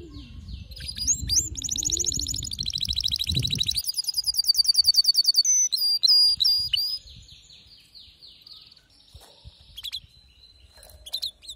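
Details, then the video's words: Canary in ferocious, lyrical song: dense high trills and rolling phrases that swell, then a fast pulsed series of sharp notes repeated several times a second, followed by softer twittering with low background rumble. "هيجان ذكرى كناري سيجبر كناريك على التغريد فورا"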